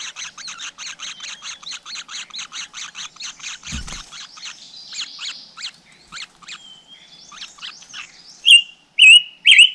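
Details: Flowerpecker nest with chicks, out in nature: even rows of quick high chirps that slow and loosen, followed near the end by three louder, clear, sharp notes; one dull knock midway.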